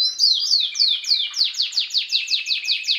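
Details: Belgian canary singing 'bagassando' in 2016, meant for tutoring young birds; loud downward-sweeping whistles repeated roughly three times a second over a steady lower tone.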